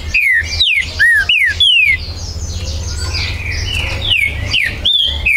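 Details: Green-winged saltator song recorded 19 September 2020 at a Brazilian breeder's premises; strong descending whistles in a quick series of five, a pause filled with soft distant chirps, then another burst of clear, falling whistled notes.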